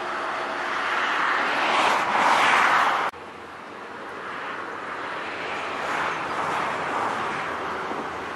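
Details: A loud engine or aircraft drone swells and then cuts sharply to a quieter outdoor rumble, and no animal voice is heard.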